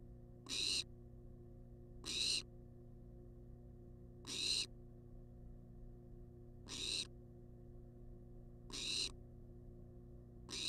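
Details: Wild barn owl in a monitored nest box demanding food: harsh, hissing screeches, each about half a second, repeated roughly every two seconds, over a steady low electrical hum.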